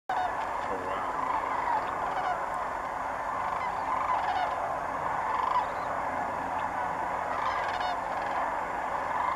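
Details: A flock of sandhill cranes calling in flight at the Bernardo Waterfowl Management Area north of Socorro, New Mexico: rolling, rattling bugles from many birds overlap into a dense, unbroken chorus.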